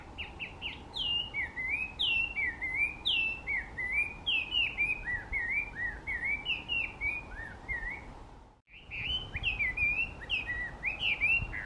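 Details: Wild Chinese hwamei in Japan sings loudly: a rich, rapid run of varied slurred whistles, rising and falling, repeated in phrases with a brief pause midway.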